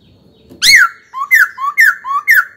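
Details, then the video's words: Pet laughingthrush in training, singing loud whistled phrases: a bright downslurred note, then alternating low rising and high falling whistles repeated about four times in quick succession. "Khướu hót cực hay, kích bổi hót ngay"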